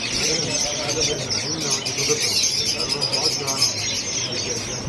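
A crowd of chicks peeping together in a dense, high, overlapping chatter of short chirps, with a faint murmur of voices beneath.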